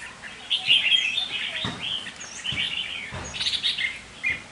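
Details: Captive decoy red-whiskered bulbul gives rich, slurred whistled phrases, fuller and smoother notes rising and falling, with a few low thuds between.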